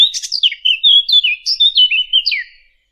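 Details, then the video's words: Fig bird sound used as a hunting lure: a clear, varied warble of sweet whistled notes sliding up and down, with a few rapid chirpy notes at the start, then fading out near the end. "Fig bird sound. For hunting# عصفور التين للصيد"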